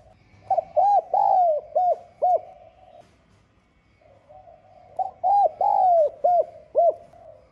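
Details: Spotted dove with a 'giọng son' voice, cooing to call and challenge rivals; two repeated phrases of soft, hollow coos, short notes around one longer falling note, with a quiet gap of about two seconds between them.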